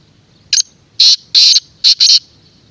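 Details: Black francolin calling loudly at close range: a rasping series of five harsh, buzzy notes, a short first note followed by longer grating bursts and a quick final pair, with no other clear sounds.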